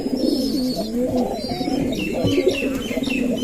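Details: Male Giribaz pigeons in a Rajshahi, Bangladesh loft quarrelling while others eat; several low, throaty coos that swell and dip in pitch, overlapping one another, with faint sparrow-like chirps behind.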